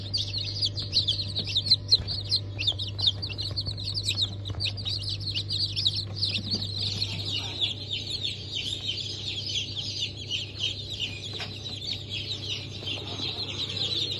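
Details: A fresh hatch of chicks of Brahma, Sussex, Sultan and İspenç breeds, February 10, 2023: a dense chorus of many shrill, high peeps without pause, with a constant low hum beneath.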